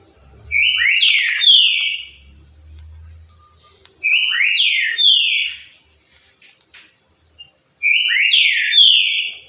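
Green-winged saltator singing its 'currucutil' song: a rich whistled phrase of slurred, falling notes, given three times about every four seconds, over a faint steady high tone.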